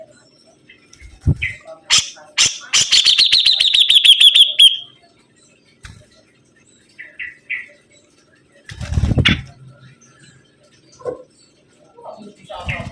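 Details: Sibuntung bird in lively song: a rapid, ringing trill of sharp repeated notes lasting about two seconds, then scattered short chirps and soft knocks.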